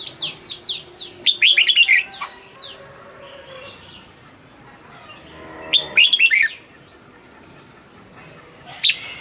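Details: Caged red-whiskered bulbul singing to rouse competition birds: two bursts of quick, bright warbled notes, one near the start and one after a long pause. A steady series of thin, descending chirps from other birds runs underneath.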